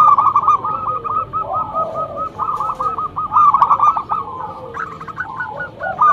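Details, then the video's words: Local zebra dove used to lure other doves, singing loudly: runs of quick, bubbling coo notes repeated in rolling phrases, a lower soft coo now and then, steady background noise. "Perkutut lokal gacor mental bagus suara NYARING pikat super"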